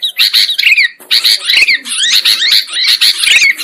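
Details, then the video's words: Sooty-headed bulbul lure sound for catching birds: harsh, squawky chatter with slurred notes rising and falling, delivered in about four loud bursts separated by brief breaks. "Suara Pikat Burung Kutilang Ampuh"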